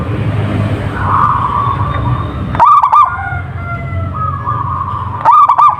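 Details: A local zebra dove sings two loud, fluttering coo bursts, near the middle and at the end, with softer sustained tones and a low rumble between them.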